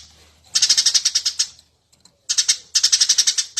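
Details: Eurasian tree sparrow chattering loudly, a master recording meant to teach other birds to sing: a one-second run of rapid shrill chirps, a pause with a few faint notes, then two more quick bursts.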